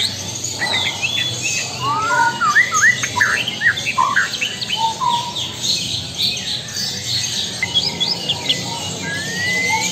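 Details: Lampung white-rumped shama pouring out a varied, tumbling phrase of whistles and sharp slurred notes, busiest in the middle, fading to a few thin whistles.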